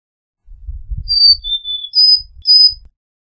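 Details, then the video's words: Carolina chickadee giving pure thin whistles, a few dropping slightly in pitch, over low rumbling handling noise. "Carolina Chickadee Song! Carolina Chickadee Call!"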